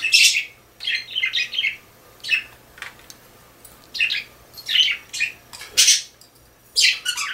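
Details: A kept budgerigar repeats bright, scratchy chirps in short clusters roughly once a second, some single and some doubled, in a quiet room.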